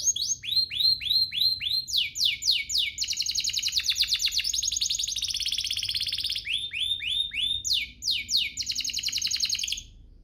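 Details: Canary song meant to provoke other canaries into song. Repeated fast downslurred whistles, about four per second, give way to a long, dense rolling trill, then return to the swept whistled series.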